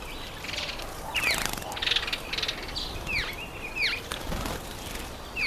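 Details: Red-faced mousebird at a birdbath: short whistled chirps that sweep down, several steep downward slurs in quick groups, with repeated wing flapping and splashing-like bursts throughout.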